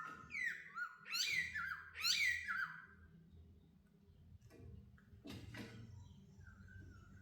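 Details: Laughingthrush released indoors for the first time, free in a house: bright whistled phrases sliding down in pitch, two loud bursts in quick succession, then quieter notes with a low room hum beneath.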